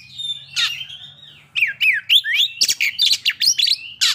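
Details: White-rumped shama song to bring on breeding condition and aggression; a soft sustained whistle, then rapid swooping whistled notes mixed with harsh, loud bursts.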